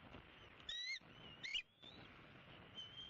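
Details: A 75-day-old bald eaglet back at the nest in Southwest Florida, March 2017, gives two loud squeaky chirps, followed by a thin drawn-out whistle, against a background hiss.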